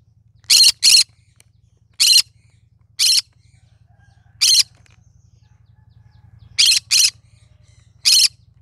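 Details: Green-cheeked conure of the cinnamon colour form giving scattered harsh, grating squawks, some doubled, at irregular gaps of about a second or more, with a faint low electrical hum underneath.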